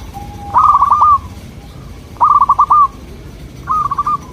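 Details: Local zebra dove song for luring local doves: three loud cooing phrases, each a rapid stutter of short notes ending in a drawn-out coo, spaced about 1.5 seconds apart.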